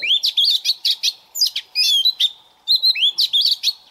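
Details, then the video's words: Morning voice warm-up by a recently trapped Oriental magpie-robin in captivity: rapid sequences of bright whistled notes and rising slurs in short, loud bursts, broken by brief silences. "Choè than bổi lên hót luyện giọng lên lửa mỗi sáng"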